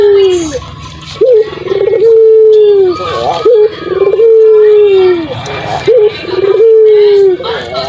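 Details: Calling puter dove, used to coax silent doves into answering: repeated long tonal coos, each opening with a quick upward flick and then slowly sinking in pitch, spaced roughly two seconds apart.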